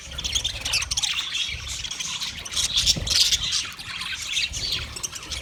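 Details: Chattering budgerigars recorded 29 February 2024, a steady mesh of rapid twittering and rasping squawks from several birds, with low background rumble underneath.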